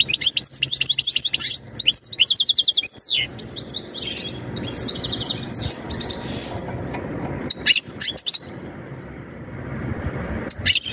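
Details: European goldfinch mating call, meant to prepare the female for breeding: rapid twittering trills and buzzy notes during the first three seconds, then quieter with scattered chirps and a steady low hum.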